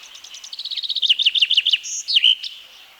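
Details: Song of a Common Chaffinch, a forest bird of Wielkopolska National Park in Poland: thin notes speed up and swell into a descending series of loud downslurred notes, closing with a sharp terminal flourish near the end.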